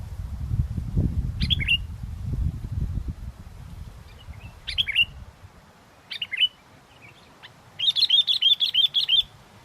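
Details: Sooty-headed bulbul keeps singing in strong wind during bird luring: short bright chirped phrases repeated every couple of seconds, ending in a fast run of rhythmic whistled notes, with wind gusts early on.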